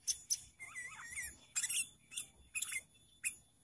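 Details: Sooty-headed bulbul lure call used for trapping, a lively song with added variations: slurred whistled notes falling and rising in a short phrase, among sharp, high chattering bursts repeated in quick succession.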